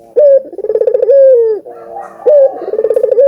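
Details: Albino collared dove in full voice, used to stimulate other doves to call: two loud cooing phrases, each a sharp opening note, a rapid trilled run of pulses, then a long drawn-out falling note.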